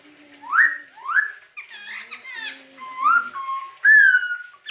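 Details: Masked laughingthrush singing loudly in full, chatty gacor style: clear whistled notes sweeping upward, a pair of rising slurs followed by a flatter whistle and a long, strong falling-then-level note.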